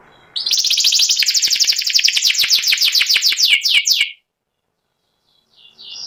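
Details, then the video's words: Panda-patterned white canary, caged, delivering a long ngeriwik phrase: a rolling high trill that breaks into rapid downward-swept notes, then a pause with a faint call. "burung kenari putih panda ngeriwik"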